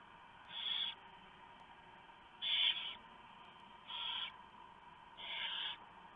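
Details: Barn owls at their nest at 3:59 AM, November 2015, during a prey delivery of a huge mouse by the male, shredded by the female for the young. Four harsh, breathy hisses are spaced unevenly over six seconds.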